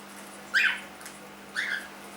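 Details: Pet cockatiel, three months old, indoors, giving two loud, scratchy chirps about a second apart, each sliding downward, against a quiet room with faint humming.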